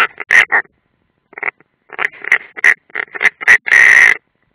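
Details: European rollers at a nest in the Ādaži training ground, Latvia, 30 June 2016, one unringed: clipped rough 'rak' notes in loose groups, fading briefly, then resuming and closing with a longer hoarse rasp.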